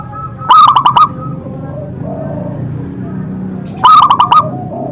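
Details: Local zebra dove in full song, praised for a big, powerful voice: two bursts of rapid, clicking rolled coo notes around a second apart, separated by a low murmuring background.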